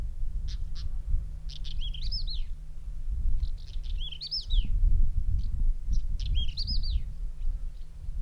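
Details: Pied wheatear (Oenanthe pleschanka) in Bulgaria, May 2010, on a windy day, gives three brief phrases of dry ticks and a quick, scratchy warble, about every two and a half seconds, over a steady low wind rumble.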